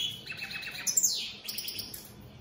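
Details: European goldfinch, opal split Satane mutation, giving a soft, quick series of twittering notes, then a sharp high chirp that slurs downward, followed by a fainter tinkling run.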